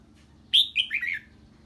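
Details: A red-whiskered bulbul, reacting to the voice of an unfamiliar bird, gives a brief 'ché'-style phrase: a loud whistled opening note running into a warbling, falling series of slurred notes.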